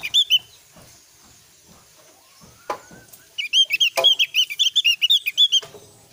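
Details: Javan grey-throated white-eye singing as a lure for young birds to reply; short chirps open, a soft rising whistle follows, then a long lively series of rapid high chattering notes, with a few loud knocks.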